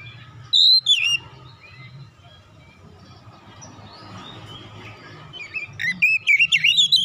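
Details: Oriental magpie-robin, an untrained bird provoked into singing at once: a loud burst of bright whistled notes near the start, a quiet stretch with low hum, then rapid varied whistles and chattering phrases building toward the end.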